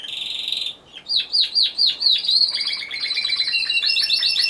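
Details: Timbrado Español canary sung in a November 2015 competition, individual C2 class; brief trill, then about eight slow downward whistled notes, followed by faster, lower repeated notes and a high trill.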